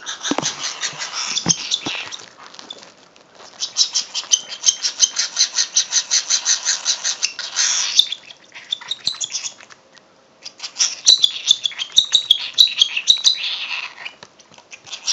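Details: An 8-week-old male pet cockatiel, just woken and wanting its feeding bottle, gives harsh, raspy begging cries in rapid rhythmic bursts before being hand-fed.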